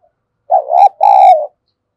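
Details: Spotted dove decoy bird cooing to lure wild doves into answering: one clear low phrase of two joined hooting notes, the second longer and gently falling, in silence.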